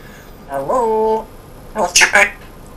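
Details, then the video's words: Pet African grey parrot speaking indoors with a Yorkshire English accent: a drawn-out, tonal voiced word followed by a short burst of clipped speech-like syllables. "English Accent African Grey. Amazing voice!"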